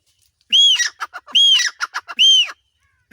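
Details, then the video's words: Male grey francolin (teetar) calling in Punjab: three loud, high, arched whistled notes about 0.9 seconds apart, each followed by a quick run of short clipped notes, in a quiet setting. "teetar ki awaz in punjab || nar teetar ki awaz || teetar sound"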